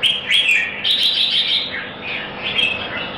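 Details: Red-whiskered bulbul at a singing competition in Singapore, pouring out a fast run of bright, slurred whistles with high sharp accents, almost continuous over about three seconds.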